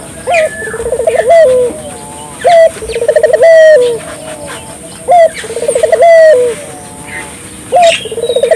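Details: Barbary dove (burung puter) cooing steadily as a lure to get local doves calling; each phrase is a fast run of low pulses swelling into a longer hollow note, about every two and a half seconds, over a background of high bird chirps.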